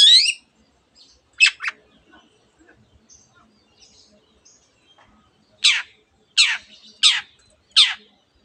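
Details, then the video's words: Long-tailed shrike singing with imitations of a canary and many other birds: loud harsh rasping notes, a pair early on, then four in quick succession near the end, with faint scattered chips between. "cendet gacor nembak nembak rapat isian kenari dan banyak jenis burung yang masuk masteran"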